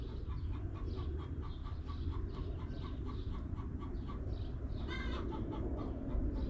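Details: Hens in a backyard coop clucking: soft, evenly spaced clucks repeat several times a second, then a louder drawn-out harmonic squawk near the five-second mark, all over a steady low hum.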